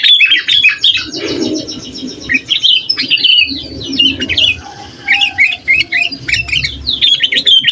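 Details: Energetic sooty-headed bulbul song for agitating rival bulbuls and tutoring untrained birds: quick chattery phrases of short hooked notes in groups, separated by brief pauses, with a low murmur behind.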